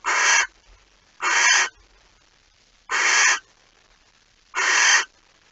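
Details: At a barn owl nest before dawn, 26 August 2019, while a mouse is delivered: four rasping, noisy hiss bursts about half a second long, spaced one to two seconds apart, with faint low thumps between them.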